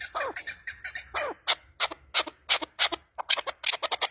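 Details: Female chukar partridge calling in a quick series of harsh, clipped chuck notes, several per second, some notes sliding downward early on and later becoming sharp, evenly spaced bursts; no other clear sounds.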